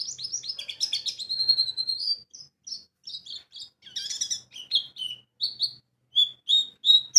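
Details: White-eye lure (pancingan pleci) in wiksar and ngalas styles: fast tumbling high chirps flowing into a long steady whistle, then spaced sharp notes and rising slurs repeated at an uneven pace.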